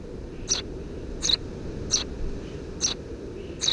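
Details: Eurasian tree sparrow young, three nestlings beneath a house roof, June 2017, repeat crisp high-pitched chirps roughly every three-quarters of a second above a low steady background rumble.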